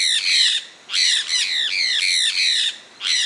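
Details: Loud, raspy screeches of a sulphur-breasted parakeet, known as cacaué in Brazil, several long drawn-out squawks that bend downward, running almost continuously with short breaks.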